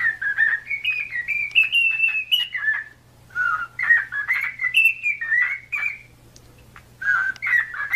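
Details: Cockatiel warbling during song training: chattering, wavering whistled phrases that step up and down, with a pause near three seconds and another near six, over a faint steady low hum.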